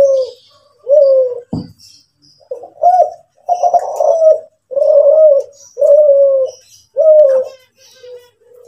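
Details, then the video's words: Kelantan-type spotted dove, a national champion, delivering its kuk 7 cooing. Smooth low coos repeat roughly once a second, broken by a louder rough phrase, with a sharp knock and faint high twittering behind. "derkuku kelantan juara"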